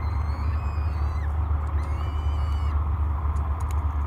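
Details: Hungry peregrine falcon chicks, three in the nest at Great Spirit Bluff, beg at a morning feeding on 24 May 2022. Two long, whining level calls sound over heavy low-pitched wind or camera hum, followed by faint ticks.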